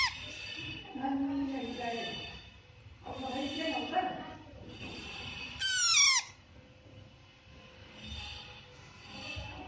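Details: Young parrots chirping while eating on their own: short raspy chattering bursts about every one to two seconds, with one loud, sharply falling squeal partway through and soft background rustling.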